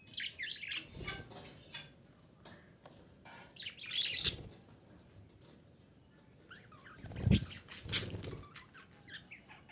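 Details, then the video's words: A female budgerigar calls to stimulate breeding, with rapid, twisting, high warbled chirps and chatter. Louder sharp notes break in now and then, and soft low thumps are heard beneath. "DİŞİ Muhabbet Kuşu Sesi - Muhabbet Kuşu Kızıştırma"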